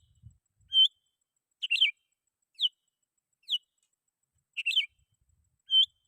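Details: Sooty-headed bulbul singing to call rivals, used to lure wild birds: six clear whistled phrases, some a single rising note, others a quick warbled cluster, spaced about a second apart, with a soft thump at the start.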